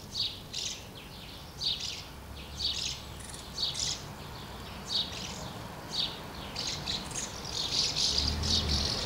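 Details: Many common house martins at two nests while the young are fed, recorded 24 August 2012; clusters of quick, high twittering chirps, roughly once a second, with a busier burst near the end and a faint low hum beneath.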